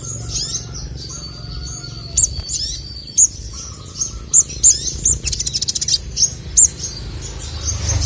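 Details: Crested jay male, locally called sogon, in a recording meant to rouse rival birds: steady high tones, then isolated piercing chip notes and a short buzzy rattle, with faint lower whistles.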